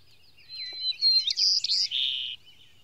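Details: White-crowned Sparrow singing in Maine in 2013 while migrating north: a clear, high whistle shifting to a burst of buzzy chirps and ending in a lower, rasping trill, all within two seconds.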